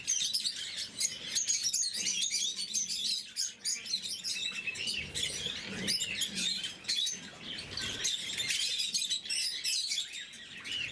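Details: Pet blue-mutation lovebirds at morning feeding produce a lively, continuous chorus of sharp, high squeaks and chirps, with soft low rustling and a few short pauses.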